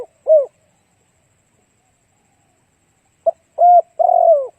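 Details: Spotted dove lure song meant to draw in other doves: the tail of one cooing phrase, a long pause, then a new phrase of a clipped note, a level coo and a rolling long coo that is cut off.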